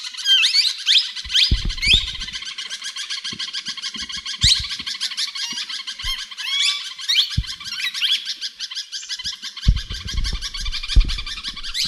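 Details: Talking plum-headed parakeet, kept tame, chattering continuously with quick squeaky chirps and short rising notes, broken by occasional soft knocks and handling sounds indoors.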